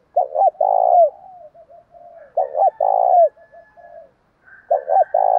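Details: Spotted dove calling to incite fighting, used in training doves. Deep, hollow three-note phrases repeat about every two seconds, each finishing with a drawn-out falling coo, linked by soft low cooing.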